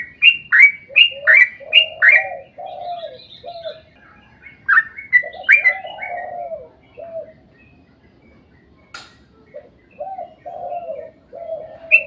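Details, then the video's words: A sooty-headed bulbul sings its rapid 'ropel panjang' song, meant to lure other bulbuls into singing. A fast burst of clear whistled notes opens, then sparser phrases follow, mixed with low hollow hoots and a quiet pause. "trucukan gacor ROPEL PANJANG buat pancingan trucukan agar bunyi"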